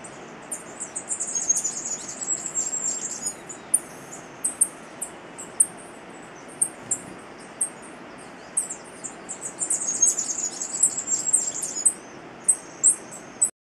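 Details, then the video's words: Masked Flowerpiercer (Diglossa cyanea) singing eagerly while perched near cabins in Rio Blanco Reserve, Central Andes, in September: two bursts of rapid, very high, jumbled twittering with sharp single notes between, over a steady rushing background. "Masked Flowerpiercer - Diglossa cyanea"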